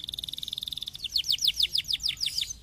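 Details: Canary song, offered to stimulate lazy canaries to sing: a fast, even, high trill of rapid notes for about a second, then a bright run of quick descending sweeps, roughly eight per second, in clear, quiet surroundings.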